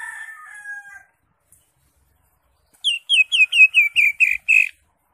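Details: Greater green leafbird (cucak hijau) singing in the crested 'ngentrok' style, full of varied phrases: a soft wavering whistle, a pause, then eight quick clear slurred notes in a rapid even series.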